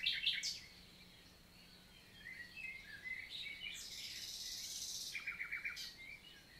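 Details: Common nightingale singing in daytime forest countryside, Lot, south of France, June 2023; loud opening chirps, soft warbling, a harsh buzz, then a fast series of repeated clicking notes.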